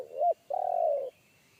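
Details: Wild forest spotted dove with a big, deep bass voice in the one-kuk style: a short rounded coo, a brief pause, then a longer rolling, purring low note.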